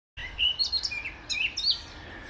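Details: Male Eurasian blackcap singing on 30 March at La Sauge: a quick, rich warble of clear fluty notes that jump up and down in two brief bursts, with a faint background hiss.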